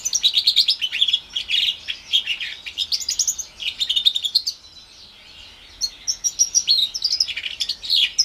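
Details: Caged house finch x Timbrado canary hybrid, orange/brown, about four months old, from 2021, singing a long high chattering warble of rapid twittering notes and buzzy trills, broken by a brief pause before resuming.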